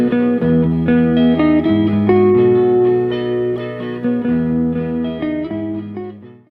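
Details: Guitar music with sustained plucked chords and no animal sounds.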